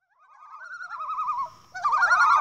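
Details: Common loons, a group of thirteen gathered on open water: one wavering, quavering tremolo rises and holds, then several more tremolos join in an overlapping, louder chorus.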